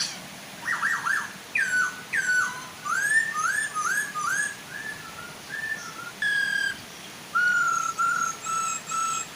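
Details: Male and female Chinese hwamei singing to prompt an untrained hwamei to join in: a long run of loud, clear whistled phrases with slurred downward and rising notes, varied and repeated every second or so, over a soft waterfall hiss.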